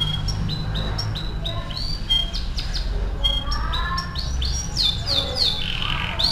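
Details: Atlantic canary (kenari AF) singing for song training: a varied stream of short whistles, slurred notes and quick chirps, rising into fast, overlapping, bright high phrases near the end.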